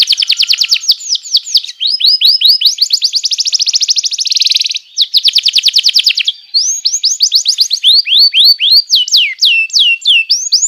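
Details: Master song of a canary, played to teach young canaries: long, rapid trills of identical sharp high syllables, a dense buzzy roll near the middle, then slower downward-curving whistled notes.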